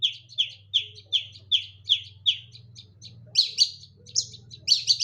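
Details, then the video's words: Long-tailed shrike singing energetically from one perch: a steady series of sharp, high chirps about every third of a second, turning into faster, scratchier doubled notes, over a constant low mechanical hum. "Burung Pentet gacor nagen satu titik"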